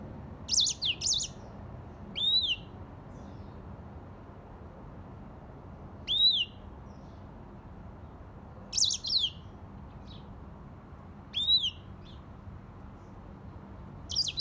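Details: A grey singing finch gives short, high whistled phrases spaced out by long quiet gaps of a few seconds, mixing quick twittered notes with smooth arched whistles that rise and then drop.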